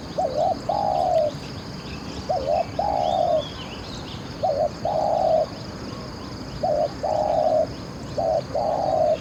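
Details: Spotted dove used as a decoy to draw in wild doves. Five phrases in a steady rhythm about every two seconds. Each has a short double note followed by a long, smooth, mellow coo. Other birds chirp faintly in the background.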